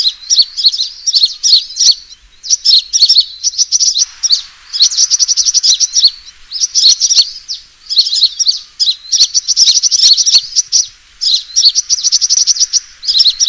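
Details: Fighting call of a sunbird, used as a lure for trapping: repeated two-to-three-second bouts of very high, squeaky twittering and buzzy trills separated by short silences.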